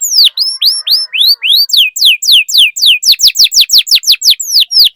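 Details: Caged canary singing a lure song meant to stimulate other canaries to sing: loud, rapid series of high, sweeping whistled notes, first rising upslurs, then quick descending chirps repeated about four per second, accelerating into a steady, even trill.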